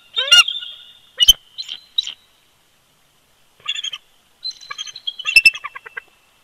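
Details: Loud, high-pitched squeals and chitters in scattered bursts with a few sharp knocks, from a bald eagle pair duetting at their old nest at Big Bear Lake, California, in winter.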